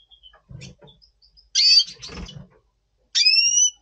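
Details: Before breeding, a Double Pastell red siskin in breeding mood in November 2023 gives two loud calls: first a harsh, buzzy note, then a clear, drawn-out whistle that rises slightly, with low knocking sounds between them.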